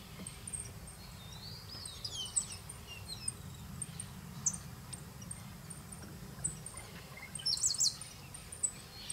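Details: Shiny Cowbird spring song, southern hemisphere breeding season: squeaky, liquid chirring chirps and a rising sweep, ending in sharp, loud high whistles, over a steady low wind-like rumble.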